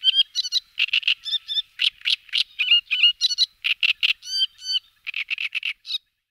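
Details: Great reed warbler, a large reed-bed warbler of Slovakia, singing a loud rapid chattering string of harsh creaky and grating notes, many short repeated syllables with a brief pause near the end, no other sounds.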